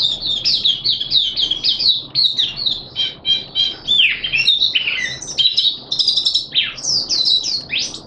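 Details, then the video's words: Malaysian Oriental white-eye (mata puteh), a hobby cage bird in happy open 'buka' song, 25 February 2023: a long, continuous warble of very high, rapid twittering notes with rising and falling slurs, barely pausing for eight seconds. "Malaysian Mata Puteh Happy Buka Sing"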